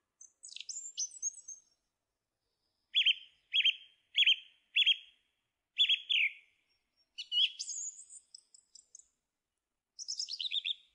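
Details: Song thrush singing, with high twittering at first, then a low-pitched buzzy note repeated five times, followed by squeaky high phrases and a descending trill.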